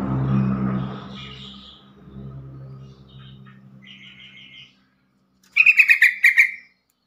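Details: Yellow-vented bulbul call intended to coax responses from other bulbuls: faint scattered chirps and a soft trill early on over low rumbling, then one clear burst of quick bubbly notes near the end.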